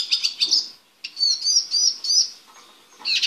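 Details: Male Eurasian siskin caged for preparation before mating: a short burst of high chirps, a pause, then a series of quick, slurred twittering phrases, ending with another chirp burst.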